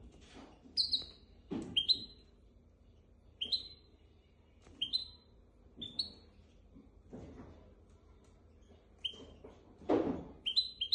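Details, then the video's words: Goldfinch x canary hybrid, recorded to teach goldfinches and canaries, giving short, separate high upslurred chirps every second or two amid quiet gaps and occasional soft clicks and thuds. "تغريد طائر الهجين ميسترو حفاضه لتعليم طيور الحسون والكناري بدون اخطاء"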